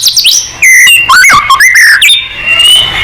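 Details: Song of a white-rumped shama played to provoke singing: rapid rich whistles with quick up-and-down slurs and sharp notes, then a long steady whistled note held to the end.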